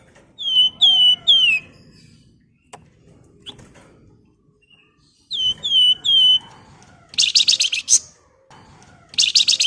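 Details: Javan fulvetta, known locally as flamboyan, giving a sharp whistling song used to prompt other birds to sing. Groups of three falling whistles are separated by clicks and knocks, followed by harsh buzzy bursts near the end.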